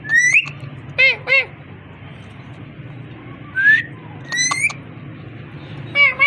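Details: A parrot voicing wavering, harmonic whistles in short pairs, with a rising whistle and a repeated ladder-like note, set against a low continuous hum.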